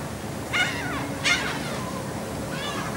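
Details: Seagulls being fed on board a ferry from the Dutch island of Texel, 28 March 2014. Three harsh, harmonic, downslurred cries: two strong ones about a second apart, then a fainter third, over a steady rumbling background of engine and wind.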